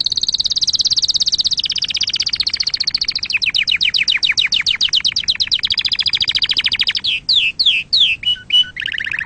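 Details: Canary singing a clean song used to teach young canaries to sing: rapid high buzzy trills that step downward in pitch, then slower, sharper whistled notes sweeping down near the end. No other sounds are heard.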